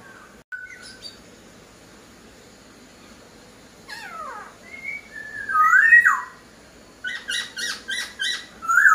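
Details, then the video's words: Poksai Hongkong laughingthrush in full song: scattered clear whistles and a steep descending slur, then a loud rising whistle and a quick run of five or six sharp repeated notes. "POKSAI HONGKONG GACOR DOR"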